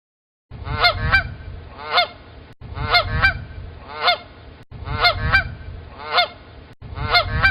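Canada goose giving loud, nasal, two-part honks, repeated roughly every second in short bursts with brief pauses between them; a low rumble sits underneath.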